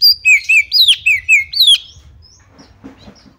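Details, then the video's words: Oriental magpie-robin female calling to stir other magpie-robins to sing: six or seven quick, ringing whistled slurs in under two seconds, then quiet with faint low rustling. "Memanggil Kacer lain Agar ikutan GACOR dan NJERIT \\ KACER BETINA"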